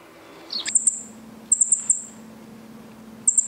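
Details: A baby bird in rescue care, thought to be a wren of unknown sex, begs for food with thin, very high chirps in quick bursts of two to four notes over a low steady hum.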